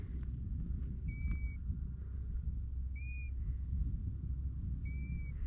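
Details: European golden plover in the Icelandic highlands along the Laugavegur trail, near a path where several birds linger and may be nesting, gives three clear, plaintive single whistles about two seconds apart over a low wind or machinery rumble.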